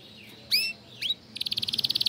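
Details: Caged canary song: two sharp sweeping whistles over faint background hum, followed by a rapid, evenly pulsed high trill.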